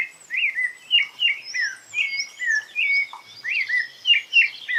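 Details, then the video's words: A rufous-bellied thrush (Turdus rufiventris) sings shy, short, fluted, slurred phrases in a steady unhurried string in the wild, with thin higher chirps from other birds behind it; song marks territory and, in males, attracts females. "CANTO TIMIDO DO SABIA LARANJEIRA"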